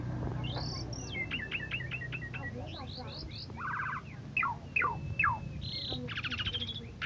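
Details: First-prize Asian pied starling sings a rising whistle, a rapid row of sharp ticking notes, slanted whistles, a buzzy rattle and falling slurs, ending in loud harsh bursts, over background drone.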